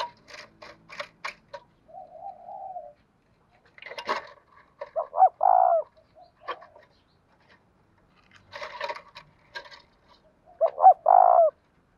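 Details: Spotted dove, kept as a cage bird and singing the 'giọng đồng thổ' style, gives two loud stuttered phrases ending in a long low coo, with rapid clicking and rustling sounds between them.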